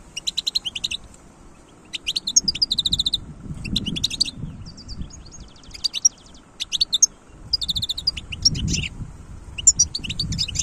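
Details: Wild European goldfinch singing repeated bursts of rapid tinkling twitter and buzzy rattles, phrases separated by short silences, soft low background rumble.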